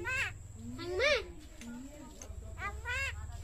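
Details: Common myna mimicking speech with bright, arched, vowel-like calls and a brief sliding note, set against low background rumble.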